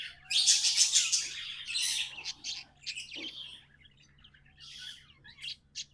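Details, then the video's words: Captive budgies open with a loud run of rapid, rattling high chirps, then fade into softer scattered twitters and a few sharp squeaks. "Budgies amazing love & singing 🎵 sounds"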